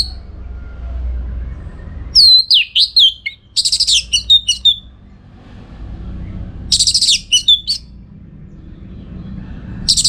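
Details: Orange-headed thrush song for training contest birds: wavering descending whistles followed by dense bursts of shrill chattering notes, separated by quiet gaps of several seconds, over a low background hum.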